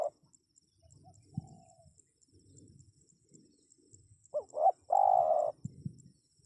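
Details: Spotted dove call for attracting wild birds: quiet background coos and murmurs, then a strong phrase of two brief rising coos and a long level hooting note, followed by faint clicks.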